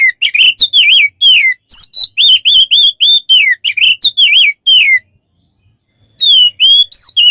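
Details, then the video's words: Song of an Oriental magpie-robin, recorded as training material for songbirds: sweet, warbling whistles that swoop up and down, repeated at a quick pace for five seconds, then a pause before more clear whistled notes. "Masteran untuk burung Kacer"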